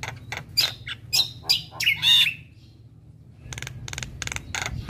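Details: Energetic Javan myna singing, recorded as morning training audio for untrained birds: sharp clicks and high whistles end in a squeaky warble, then after a quiet spell a string of buzzy rasping notes.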